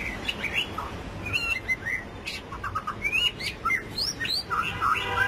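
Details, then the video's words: White-rumped shama giving 'rít thuốc lào' style song, a lively mix of varied whistled phrases, upward-sweeping notes and quick warbles with crisp clicks between them, delivered almost without pause. "chòe lửa đuôi tôm hót rít thuốc lào"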